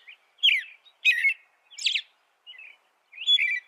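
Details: Short, emphatic chirping phrases from an American robin, about one every half second, some broad and scratchy, others thin and whistled, against a quiet background.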